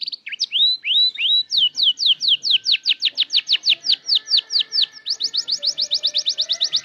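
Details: Young canary learning to arrange its song: a few rising upslurred whistles lead into a long, quickening string of crisp down-slurred notes, growing faster toward the end.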